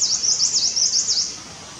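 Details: High-pitched, rapid chittering from a Himalayan Cutia at nest building: about six sharp swooping notes in just over a second, then fading into quiet hiss.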